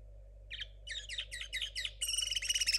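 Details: Young 2022 linnet cross still learning to sing: a single note, then a series of quick repeated twitters, shifting into a rapid metallic trill at the end, against a faint continuous hum.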